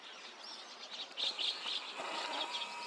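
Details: White-cheeked starlings in a mixed flock with chestnut-cheeked starlings at 5 a.m. on 29 June 2026, Takata-cho, Rikuzentakata, Japan: dense overlapping high chirps and squeaky notes, growing busier after the first second, over faint background hiss.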